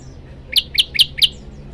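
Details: Male olive-backed tailorbird (Orthotomus sepium) calling to attract a female: four sharp, high chirps in quick succession, about four per second, over a faint low hiss.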